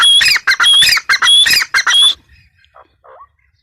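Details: Female grey francolin calling in a burst of harsh, loud, squawking notes with a thin whistled overtone, five or six notes in quick, uneven succession over two seconds, then a few faint soft notes and quiet.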